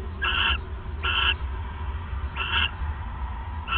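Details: Owl bonding at the nest, 1:26 AM, December 29, 2014: four clipped, hoarse screeches spaced roughly a second apart, with a continuous low drone underneath.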